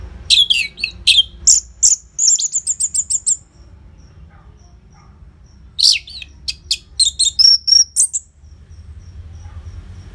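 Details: Song of an orange-headed thrush, loud with tight spacing, used as a lure for caged birds: fast rhythmic series of high chirps and trills, a quiet pause, then a second varied phrase ending in a thin whistle.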